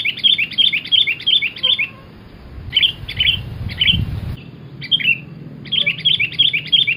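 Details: Lively cemgkram song of a sooty-headed bulbul, used to lure birds for trapping: rapid runs of sharp, slurred chirps repeated about three per second, broken by brief gaps, with a soft low background rumble.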